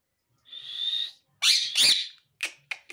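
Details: Rose-ringed parakeet gives a steady, level whistle, then two loud, harsh, speech-like syllables and a few short clicks, in a quiet indoor setting.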